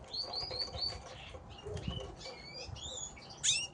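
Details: Gloster canaries fighting: short, high chirps in quick bursts, several repeated in a row at the start, then rising and falling tweets, with soft wing flapping and scuffling throughout.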